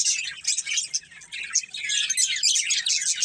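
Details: Breeding pair of budgerigars chirping: dense, continuous high warbling chatter with quick twittering notes, steady and busy throughout, without pauses.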